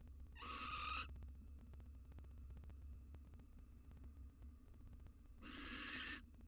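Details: Wild female barn owl in a nest box, receiving a mouse from her male companion, possibly near egg-laying: two harsh hissing screeches about a second long, roughly five seconds apart, with quiet low background hum.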